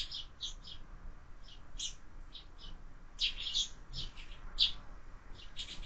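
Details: Busy, irregular chirping from sparrows feeding at a window-mounted feeder as fledglings multiply, short tweets in loose groups across several seconds.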